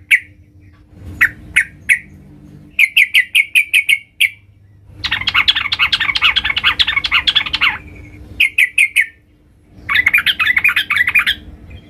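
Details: Female sooty-headed bulbul calling to the male, used as a lure: scattered chirps, a quick rattled series, then a dense jumbled chattering burst of about three seconds, more chirps and another chattering run.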